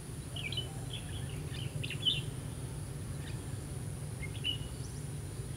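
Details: Red-whiskered bulbul recorded during trapping with a butterfly-wing trap on 16 October 2016; short bright chirped and warbled notes come in scattered bursts over a steady low rumble of background noise.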